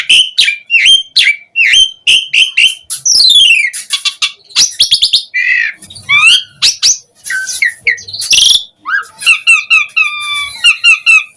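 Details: Asian pied starling full song used as a lure for other starlings: repeated whistled notes, then a varied jumble of rasps, trills, descending slurs and stacked mechanical-sounding phrases.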